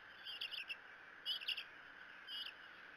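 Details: Bald eagle at the Decorah nest on 6 June 2018, an eaglet protecting its sibling from gnats; three short, high chittering bursts about a second apart over a steady background hum.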